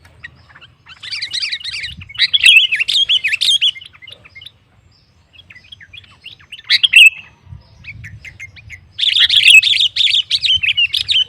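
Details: Sooty-headed bulbul song used to lure rival males into singing: dense, rapid chattering bursts with a quieter gap in the middle and a low hum throughout.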